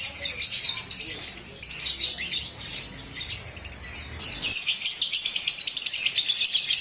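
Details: Lovebird heard on a therapy recording meant to get lovebirds singing and ngekek; dense, harsh, scratchy chatter high in pitch, with bursts of rapid ticking notes and a brief break midway, steady background hiss.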